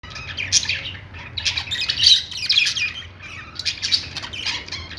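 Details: Several budgerigars in a pet store, warbling and chirping together in dense high bursts that rise and fall, with louder peaks near two and four seconds and a low room hum underneath.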